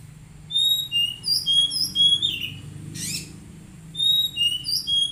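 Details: Oriental magpie-robin song used as training therapy for untrained birds: a run of short, high, thin whistled notes at varied pitches, broken by a brief harsh buzzy burst, then more quick whistles.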